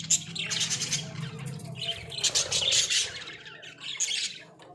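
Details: Australian budgerigars caged indoors give busy squeaky chirps and grating warbles in quick succession, with a low hum in the background.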